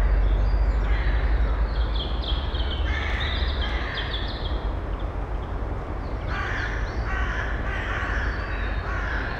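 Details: Female Eurasian eagle-owl with nestlings in a nest box in early May, recorded without a directional microphone: raspy, hoarse calls repeated in quick succession, under a loud, constant low background roar that does not disturb the birds.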